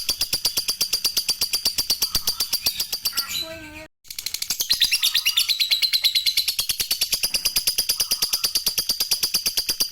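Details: Lovebird calling, played to lure other lovebirds to call: sharp chattering pulses repeated about three times a second almost without pause, broken once by a brief cut with a short tonal sound.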